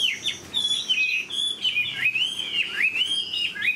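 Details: Chinese hwamei, a large-bodied cage bird said to have a fine voice, singing an unbroken, richly modulated stream of loud whistled phrases that swoop up and down, rolling on without pause, with faint higher overtones.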